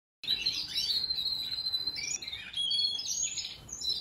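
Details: Four-month-old canary in a room for keeping singing birds. It sings a continuous high warble of rapid trills and bright whistled slides. A faint low room hum sits underneath.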